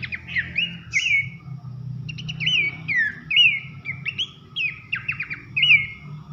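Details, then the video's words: Abbott's babbler singing the loud 'nembak nyiul' style used as training material, a varied string of slurred whistles, sharp downward chips and rising loops, steady throughout, with a low hum underneath. "masteran nembak nyiul keras khas pelanduk semak"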